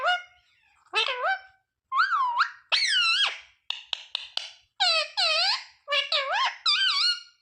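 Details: Ringneck parakeet saying words such as mummy, papa and mithu, delivered as bright bending syllables, short clipped notes and U-shaped nasal tones in closely spaced phrases, all loud and near.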